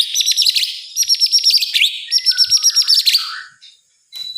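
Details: Night song of a white-rumped shama, meant as a lure for other shamas: fast, high, buzzy repeated notes in rhythmic rattling runs about four per second, ending in a few lower slurred whistles.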